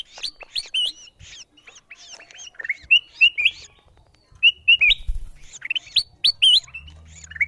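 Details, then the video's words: Lure calls of ruby-throated bulbuls for attracting wild birds down: sharp upslurred whistles and chirps in irregular bursts from several birds, fairly clean background with occasional low knocks. "Suara pikat kutilang emas memanggil burung liar"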